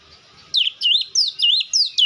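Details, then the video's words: White-rumped shama song: after half a second of quiet, a run of loud, slurred whistled notes sweeping down and back up, delivered in quick even bursts of about four per second. "Dengar kicauan Kacer satu ini dijamin langsung nyaut Kacer manapun"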